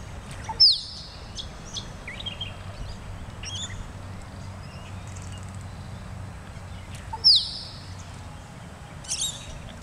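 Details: Male-type Australian musk duck displaying near Perth, whose display includes a 'plonk', whistle and splash: two sharp, high whistles dropping in pitch about six seconds apart, with faint chirps of other birds and low rumble.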